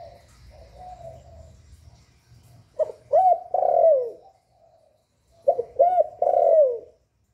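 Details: Kept spotted dove giving its calling and cooing song, recorded without background noise and played to spur other doves to sing. A soft drawn-out coo is followed by two louder phrases of deep, slurred coo notes that fall at the end.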